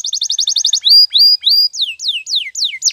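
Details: Canary training song: a quick chirping trill gives way to three rising whistles, then a run of sharply falling, sweeping notes repeated about every quarter second.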